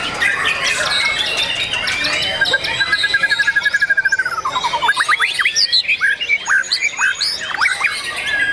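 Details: Competing white-rumped shama on Sunday 9 April 2023 at Pondok Cabe, Indonesia, in its first contest after moult, delivering a long, rapid, even trill that drops in pitch, then sharp rising whistles, among a dense chorus of other songbirds.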